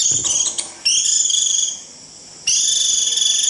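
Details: A few quick, high chips, then a Japanese white-eye's long, buzzy, high 'rít' trill, a brief pause and another steady, sizzling trill, used for calling the flock.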